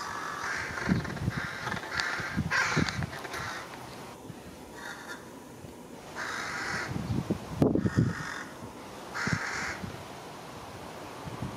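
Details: Four juvenile(?) carrion crows perched on an electric cable in Japan, mid-June, caw harshly and hoarsely at one another in short, uneven bursts while skirmishing, over low rumbling background noise.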